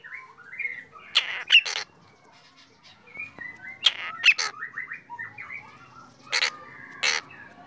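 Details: Black drongo singing in the morning: short descending whistled phrases mixed with sharp harsh buzzy strokes that come in pairs, about every few seconds.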